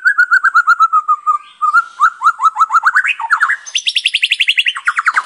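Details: Lively white-rumped shama with a full repertoire, used as a lure: a series of low repeated whistled notes, then rising slurred phrases that climb into a fast higher trill before falling back.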